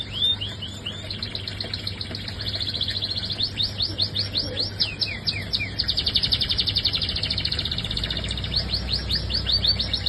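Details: Caged canary singing a lively, fast song of rapid repeated chirps and rolling trills, delivered in quick bursts of about four notes per second, with a low steady hum underneath.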